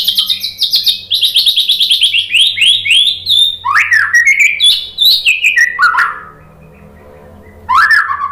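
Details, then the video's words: White-rumped shama, a lure recording of varied song: rapid repeated descending whistled notes in fast series, then lower swooping phrases and buzzy trills, with a brief pause before a final rising note. "OCEHAN MURAI BATU BIKIN NYAUT JADI GACOR NGEPLONG BONGKAR MATERI ISIAN ¦ PANCINGAN MURAI"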